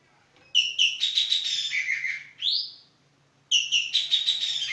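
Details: Javan green magpie (Cissa thalassina) calling vigorously: two sharp notes lead into a buzzy trill that drops lower, a rising slurred whistle follows, and after a pause the same phrase starts again.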